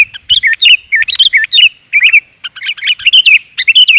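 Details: Lure call of a female sooty-headed bulbul in 'gajor' style, aimed at males: lively, looping warbled notes in tight clusters, nearly continuous, with brief pauses between phrases.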